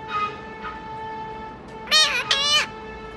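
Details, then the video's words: Talking parrot in Vietnam imitating human speech, calling out a Vietnamese phrase addressing a mother; two harsh, strained syllables with wavering pitch, preceded by softer vocal sounds over a steady electrical hum. "Chim vẹt biết nói tiếng người ''Mẹ huyền ơi ''"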